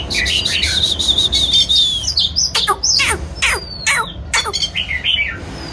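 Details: Singing Oriental magpie-robin during a dance display: a drawn-out wavering whistle, then a rapid run of sharp clicks and short chirps, ending in a soft rising note.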